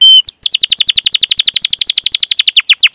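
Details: Canary lure song: one steady whistled note, then a very fast roll of sharp chirps, about four a second, continuing evenly and ending in a few slower descending notes.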